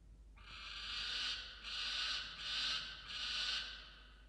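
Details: Screaming male peregrine falcon defending his musk lorikeet prey inside a camera-watched nest box, early morning of 27 December 2022: four coarse, hoarse screams, each under a second, with short gaps between them.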